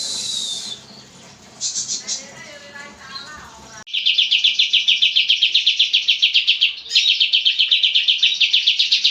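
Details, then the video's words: Oriental white-eye recording for training cage birds: scattered high chirps and thin whistles at first, then a sudden switch to a steady, rapid, high trill of repeated notes that runs to the end. "MASTERAN kapas tembak gacor panjang dan suara jernih"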